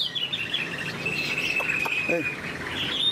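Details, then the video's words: Chinese hwamei in moult, caged, holding a long, steady high whistled note with a brief rising flourish at its start and end; faint low knocks and handling sounds beneath. "Chim họa mi đang thay lông, bộ to đẹp, hót cao cầu"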